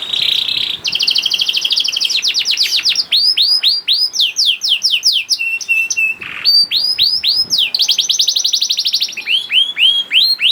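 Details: Canary, a young bird, singing as a lure for hard-to-start canaries: alternating fast buzzy trills and series of descending slurred whistles, with a brief flat note mid-phrase, continuous and energetic.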